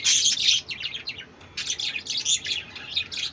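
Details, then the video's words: Budgerigar chirping in quick, scratchy bursts of high warbling notes, with a short pause midway before the chatter resumes. "বাজিগার কিচিরমিচির"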